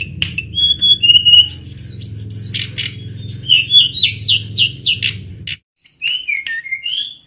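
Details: Mangrove blue flycatcher singing a lively run of clear whistled notes, slurred rising and falling phrases delivered in quick succession, with a steady low hum underneath until a short silence near the end.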